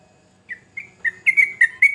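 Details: Sooty-headed bulbul singing in lively 'gacor' style, said to make other bulbuls answer: a sequence of short clear whistled notes, spaced and quickening, growing louder toward the end, over a quiet background.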